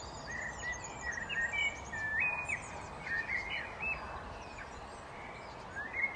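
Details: Common blackbird singing: a string of clear, fluty whistled phrases, each short and warbling, some rising and some falling, with brief pauses between them. Light background hiss throughout.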